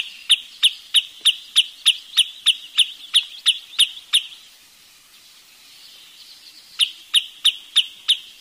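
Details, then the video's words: Wood sandpiper: an even, rapid series of about fourteen sharp high notes, a quiet gap of about two seconds, then another run of piping notes. "เสียงนกชายเลนน้ำจืด Wood Sandpiper Sound"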